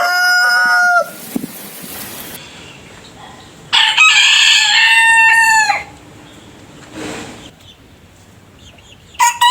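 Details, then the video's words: Roosters crowing, each bird with its own voice: the falling end of one crow, a quieter noisy stretch, then a loud two-second harmonic crow, with another crow just beginning at the close. "Rooster Crowing - Rooster Sound Effect - Gà Gáy - Gà Trống - Tiếng Gà Gáy - Con Gà Gáy"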